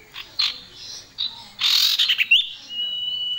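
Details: Male and female common iora in active song, a small yellow bird with a loud, shrill voice: short bright chirps, a burst of harsh, buzzy rasping notes, then a sharp upslurred note leading into a long, steady, thin whistle.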